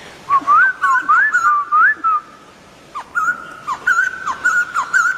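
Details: Laughingthrush singing actively: loud clear whistled notes near one to two kilohertz, rising slurs and level held tones in quick bursts, with sharp downward clicks mixed in, brief pause near the third second.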